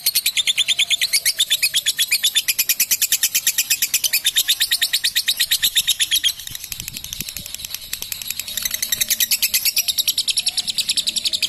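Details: Female contest fighter lovebird giving its long-duration ngekek trill. A loud, high, rapidly pulsed chatter runs unbroken for over eleven seconds. It briefly softens near the middle, then resumes at full strength.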